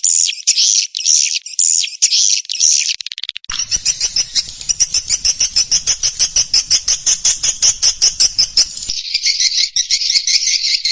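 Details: Swiftlets in Indonesia, sound played to draw them in to roost: a few spaced high chirping bursts give way to a long, fast, rhythmic train of sharp high clicks and twitters.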